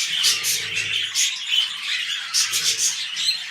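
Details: During mating, pet budgerigars give fast chirping, squeaky warbles in two louder bursts, with a faint low hum underneath.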